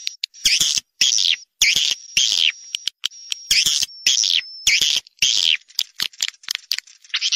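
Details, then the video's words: Swiftlet (Collocalia vestita) call sound, one of three swiftlet sound types (call, stay, colony): harsh high chattering bursts about twice a second over a thin steady whistle, with abrupt silences between bursts. "Swallow Calling Sound (call voice)"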